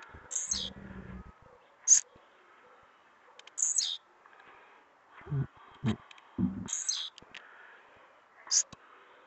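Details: Blue-black grassquit singing persistently in the trincado song style. Brief high, buzzy, down-slurred phrases repeat every two to three seconds, five in all, with a few low thumps and knocks between them.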